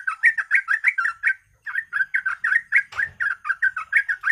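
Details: Yellow-vented bulbul song played as a lure to make other birds sing: rapid bubbling, slurred chirps around mid pitch, repeated several times a second, with one short pause and a brief rustle near the end.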